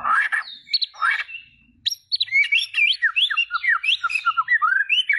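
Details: White-rumped shama song of rich, fluty whistled notes that sweep up and down in a lively, continuous, varied sequence after a few opening chirps.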